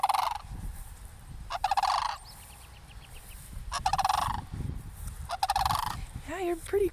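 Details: Four rolling, pulsed rattles come from cranes by a church as someone approaches. Each rattle lasts about half a second, with longer pauses between them, some faint high chirps and low background rumble.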